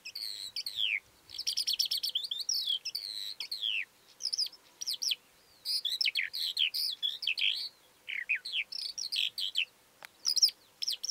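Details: Calandra lark in full song: fast tumbling sequences of sharp, scratchy high notes interleaved with repeated downward-swooping whistles, in phrases separated by brief pauses, clean with little background.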